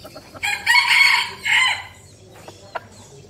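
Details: A red junglefowl decoy bird gives one short, hoarse crow in two quick bursts, cut off abruptly at the end, followed by a few faint clicks.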